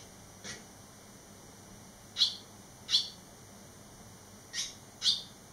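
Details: Young barn swallows, three fledglings returned eleven days after leaving the nest; a faint chirp, then two loud high chirps about a second apart, a pause, and a closing pair of sharp chirps.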